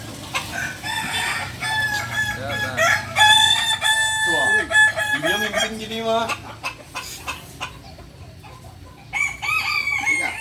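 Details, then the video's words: Kukuak Balenggek roosters at a Sunday crowing practice gathering in Ampangkualo. Several long, stepped, tonal crows overlap and rise and fall between bursts. Lower sliding calls and chatter sound midway, and the clip fades to quieter crowing near the end. "ayam kukuak balenggek"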